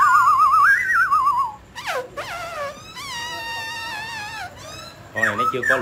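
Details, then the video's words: Mutant grey laughingthrush singing and displaying, a caged bird: a loud warbled trilling whistle that rises and falls, then sweeping slurred notes and rich harmonic whistles repeated in quick succession. "Chú chim khứu xám tro đột biến hót múa cực đẳng cấp"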